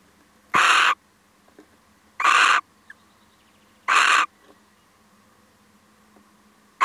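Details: Male little owl paying a brief visit, possibly startled. Three harsh, hoarse, broadband screeching calls, each about half a second long, repeated roughly every one and a half seconds over a quiet background with a steady low hum.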